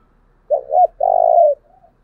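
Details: Spotted dove kept as a decoy, calling to provoke wild birds: a short low two-part coo, a brief pause, then a longer steady rolling coo lasting about half a second, in a quiet indoor setting.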